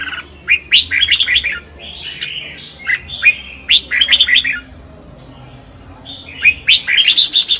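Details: Red-whiskered bulbul in competitive singing, known in Vietnam as chào mào hót đấu: bursts of bright, warbled whistled phrases around two to four kilohertz-like pitch, in short clusters separated by quiet gaps, with soft low hum beneath.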